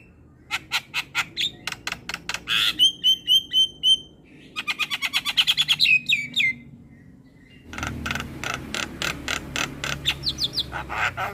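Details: Black-winged myna song played as masteran for young mynas: fast rows of clicks, a run of repeated whistled notes, a rattling trill, then more harsh clicking calls.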